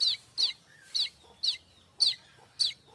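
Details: Streaked weaver recorded as tutor song for kacer and murai batu: crisp, high chips in a quick steady series, six notes in three seconds, with a soft low whistle between them.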